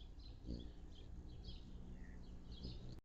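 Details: Anna's hummingbird calls at feeders, June 10, 2022: quick high, scratchy chips in irregular bursts above a constant low background drone.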